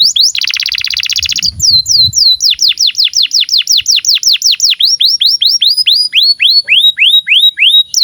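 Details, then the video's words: Canary in long, continuous 'gacor' song, used as a tutor recording for young canaries and for canaries that have stopped singing. It opens with a dense buzzy burst, then runs into fast series of sharply descending whistled sweeps, with a faint low rumble early on. "SUARA BURUNG Kenari GACOR PANJANG INI Cocok untuk Masteran KENARI PAUD dan Kenari Macet BUNYI"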